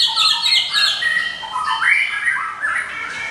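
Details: White-rumped shama of the Medan type singing nonstop in the ngekek style, used as a lure and master song for training: a dense, fast jumble of high chattering, squeaky and whistled notes, overlapping and rapidly changing pitch throughout.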